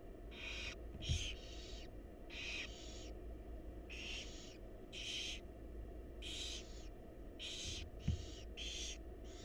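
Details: Several begging hisses from wild barn owl chicks as the mother feeds them in a nest box, harsh and breathy, coming in rapid overlapping series, with occasional soft knocks and low hum.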